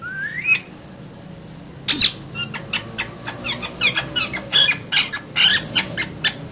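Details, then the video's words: Caged pair of green parrots calling indoors, a rising whistle followed by a run of sharp clicks and squeaky notes of varied length. "Two Green Cute Parrots Talking In Cage So Cute"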